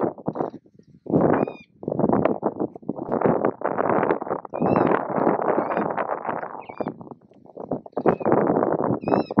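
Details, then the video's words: Juvenile Mulga parrots (Psephotus varius) being fed at Patchewollock Conservation Reserve, Victoria, Australia, beg with harsh, rasping, churring bursts in long pulsing runs, broken now and then by brief high whistled notes. "Juvenile Mulga Parrots (Psephotus varius) being fed"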